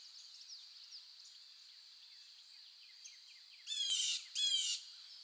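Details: Birds chirping in the early morning: faint, scattered high chirps over a steady high-pitched hum, then two loud, buzzy, harsh calls close together near the end.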